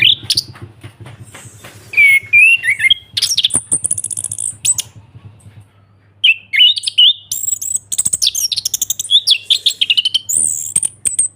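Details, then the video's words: Ngeplong song of an Orange-headed thrush, meant as therapy for a thrush that has stopped singing: rapid clicking runs, warbled whistles and high squeaky notes, with a quiet gap midway and a steady low hum. "ANIS KEMBANG NGEPLONG PANCINGAN TERAPI ANIS KEMBANG MACET BUNYI SEKETIKA LANGSUNG NYAUT DAN GACOR"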